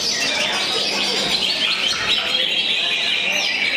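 Greater green leafbird pours out a dense, nonstop stream of high, rapid, buzzy chirps and trills, like racing cricket phrases, with a faint murmur of voices behind.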